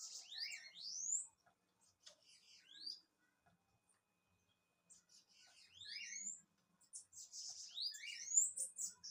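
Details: Bananaquit song in repeated bursts: buzzy, wheezy notes mixed with fast rising thin slurs, with lower twittered notes beneath, given in two main phrases about five seconds apart.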